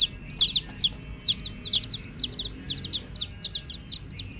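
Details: Young domestic chicks give a steady run of sharp, high, descending cheeps, irregularly spaced and sometimes doubled, against quiet low-pitched background noise.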